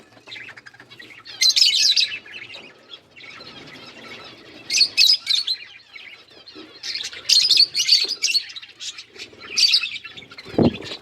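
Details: Pet budgies chirp while eating green food: bursts of high, scratchy twittering chatter come in clusters every couple of seconds over a soft background warble, ending with a low thump.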